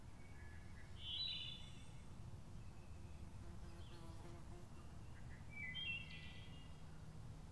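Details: Wood thrush at Lake Needwood on 6 May 2014, giving two short flutey, warbling phrases several seconds apart, with faint calls of other birds and a steady low rumble underneath.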